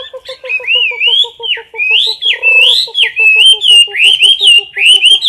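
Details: Competition song of a caged Chinese hwamei filmed at close range: looping, slurred whistles rising and falling, with a steady low pulsing tick repeating beneath the song throughout.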